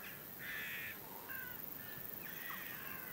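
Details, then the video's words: Flock of western jackdaws calling before a storm: harsh, nasal calls from several birds, a long overlapping burst, a single short call, then another dense cluster of overlapping calls, over steady wind-like background noise. "FLOCK OF JACKDAWS BEFORE A STORM"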